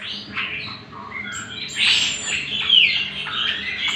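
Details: Greater green leafbird song used as bait and master for other birds, a soft, rambling mix of short whistles and warbles building into louder slurred and squeaky phrases, with a quiet hum beneath.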